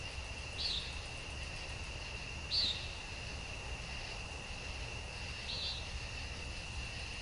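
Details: On a summer evening, 19 August 2014, a common nighthawk gives three short, nasal, buzzy calls over a steady insect drone.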